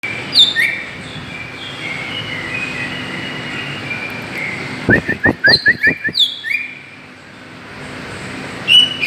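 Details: Greater green leafbird calls used as a lure to provoke other birds: clear slurred whistles, some rising, some falling, then a burst of sharp clicking notes and more downslurred whistles, over a soft background hum.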